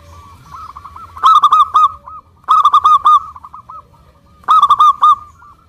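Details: Zebra dove, local type, singing to prompt other doves to answer: three loud rattling bursts of clipped, ringing coos, with softer hooked notes running between the bursts.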